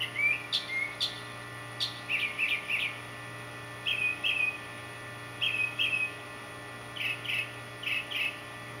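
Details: Male northern mockingbird trying to attract a mate with copied songs, giving short burry double phrases repeated every second or so against a constant low electrical hum.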